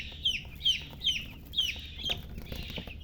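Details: Baby chicken chick peeping: clear, high, downward-sliding whistled peeps repeated about every half second, five in a row, with a faint low hum underneath.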